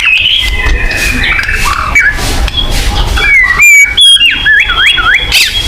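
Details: White-rumped shama song to make captive shamas sing: sustained clear whistles, then wavering, looping whistled notes that rise and fall in quick succession.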